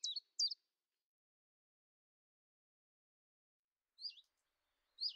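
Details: Quiet, high, twisting notes from a common chiffchaff at a kitchen window, Eibar, early March 2018: a quick pair at the start, then silence, then two more notes near the end.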